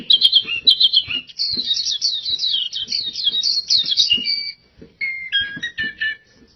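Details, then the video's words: Pleci (oriental white-eye) singing gacor: a tumbling cascade of quick, sweet, high twitters, then a brief pause and a few clearer, lower whistled notes in a short closing phrase. "PLECI GACOR DORR Suara Mantap abis"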